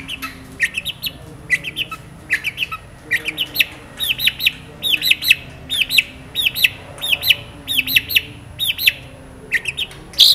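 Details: Long-tailed shrike singing vigorously with a rich, varied song full of fill notes. Short arched chirps rise and fall, delivered in quick succession about one and a half per second, with faint background hiss throughout.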